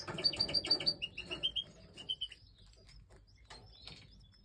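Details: Feeding European goldfinch chicks in breeding time, a rapid series of sharp high chirps about three per second, then falling slurred notes fading into quieter rustling.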